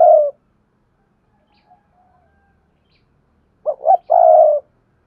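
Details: Lure spotted dove calling for wild birds: the tail of one long croo, a near-silent pause with faint distant cooing, then a full phrase of two quick coos and a sustained throaty croo.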